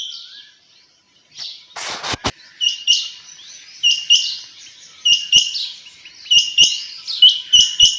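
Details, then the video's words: Female quail calling early in the morning: short, high, buzzy chirps repeated in quick bursts of two to four, nearly a call a second, with a few sharp clicks and a brief noisy rustle near the start. "Chinga batair ki awaz"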